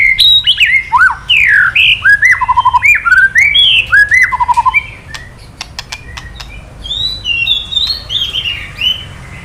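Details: Male white-rumped shama (murai batu) answering 'kretekan' calls with varied 'isian' phrases: rapid slurred whistles and short trills for about five seconds, then sharp clicks and softer high whistled notes.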